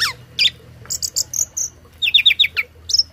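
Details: Short burst from a tame starling kept as a song tutor: high thin whistles, a run of quick descending chirps and a final clear upslurred note, with faint low hum behind.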